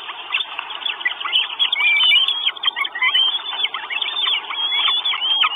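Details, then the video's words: Four hungry Northern goshawk chicks calling at their nest in Estonia on 1 June 2022, live camera recording; busy, piercing squeals and short whistled slurs crowded together without a break. "4 CHICKS WISH FOOD. NORTHEN GOSHAWK."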